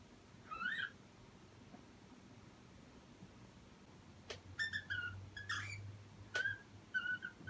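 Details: A pet cockatiel gives short, bright whistled chirps in scattered bursts, with sharp clicks between them.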